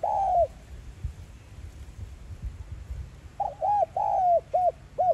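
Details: Spotted dove, 'giọng son' voice style, cooing for stimulating decoy birds: a drawn falling coo, a pause of low rumble, then a full phrase of short hooked coos, a long falling note and two clipped coos.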